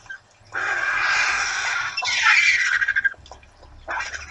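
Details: At the Torre de Tamúrcia feeding site, where hundreds of raptors feed twice a week, vultures give a long rough hissing squeal followed by a stuttering harsh call and a final short rasp.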